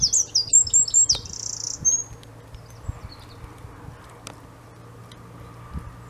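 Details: Eurasian wren recorded at De Kleuter in Uden on 5 March 2015: the close, loud tail of a song, with shrill, fast trilled notes for about two seconds, then quiet background hum.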